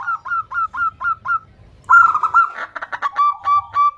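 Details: Calling female zebra dove seeking a male: a steady series of short, honking notes, followed by a louder, denser burst of quick notes that settles back into evenly paced calls.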